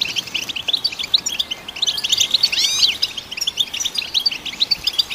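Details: European goldfinch song, used to stimulate other goldfinches: a dense, rapid twittering of high tinkling notes throughout, with a brief burst of sweeping rising-and-falling slurred notes near the middle; no other sounds stand out.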